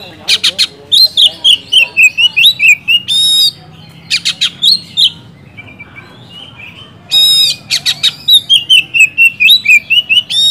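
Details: A loud, singing Oriental magpie-robin gives varied phrases, used to provoke quiet magpie-robins into answering and singing: sharp repeated clicks and rattles, then rich descending whistles and slurred notes, phrases every few seconds.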